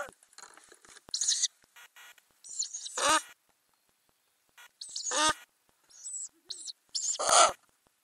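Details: Ural owl in a nest box with growing owlets, filmed by a camera inside the box under the lid in May 2020; irregular harsh, hissing, rasping bursts with short gaps, some longer and louder, faint scratchy rustling between them.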